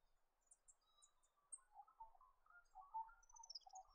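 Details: Yellow-rumped thornbill from Australia, a species foraging on the ground in small or mixed flocks; faint high tinkling notes above soft warbling chatter lower down, quiet and continuous.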